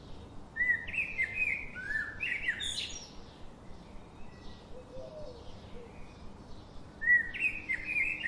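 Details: Chirping birds give a run of fast, stepped whistled notes early on, then softer distant calls, and a renewed lively burst of tweets near the end, with steady background noise throughout.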